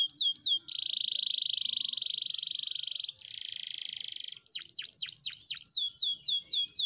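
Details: Canary song used for training, loud and high: quick falling whistles, then two long buzzy rolling trills, ending in a fast series of sharp down-swept notes repeated several times a second.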